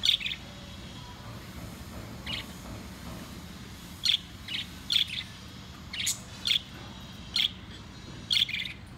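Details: Pet lovebirds, four kept together indoors, chirping while they play and eat; sharp high chirps in short bursts, clustered toward the second half, over faint low room noise.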